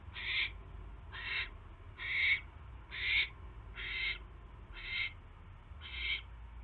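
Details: Owl at the nest during an evening mouse delivery on 29 January: seven raspy, noisy hissing screeches at a fairly even pace of about one per second, with a steady low background drone.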